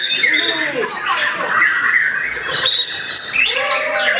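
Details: White-rumped shama beginning to answer a rival with loud, rich song: fast whistled phrases, sweeping slurs and trills overlapping, with a few lower curved notes at the start and end.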